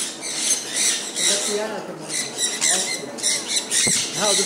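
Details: Sun conures in rainfall keep up grating, overlapping squawks while a man talks over them in Bengali, with rain noise and a sharp knock.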